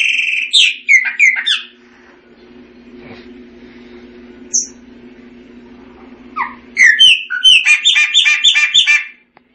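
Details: Singing Chopi blackbird: a quick cluster of whistled and chirped notes, a long lull with low background hum and one lone whistle, then a rapid rattling series of bright repeated notes.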